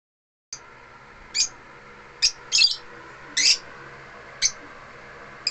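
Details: African lovebirds singing at home: sharp, high chirps spaced about a second apart, single or doubled, over a steady low indoor hum.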